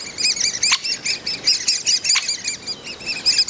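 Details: Young Great spotted woodpeckers in the nest, with a breeding pair bringing food, recorded 30 May 2020 at Mønsted Kalkgruber: a steady stream of thin, high arched chirps, with two sharp clicks.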